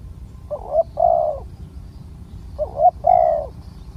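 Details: Wild spotted dove with a deep, big coo, recorded during a decoy luring session. Two cooing phrases, each a short double note then a longer, level, throaty coo, about two seconds apart, over a low background rumble.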